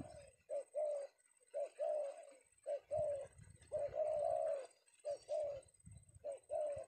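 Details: Spotted dove, a male Penguku-type bird caught one afternoon in Indonesia, repeating husky mid-pitched coo phrases with brief gaps, while low rumbling thumps sound beneath.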